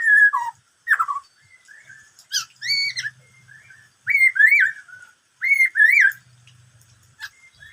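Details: Song of a black-throated laughingthrush: varied clear whistles, some falling, some in arched double notes repeated in pairs, separated by short pauses and quiet chatter, in a quiet setting.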